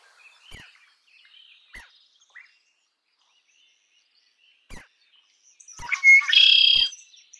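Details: Scattered soft calls and a few clicks, then a red-winged blackbird bursts into song near the end: quick opening notes, a clear whistle and a loud buzzy trill.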